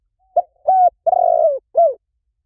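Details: Spotted dove call used for decoy hunting to draw wild doves in quickly: four clean, mellow coos, a short note, two longer sustained coos the second slightly wavering, then a short falling final note.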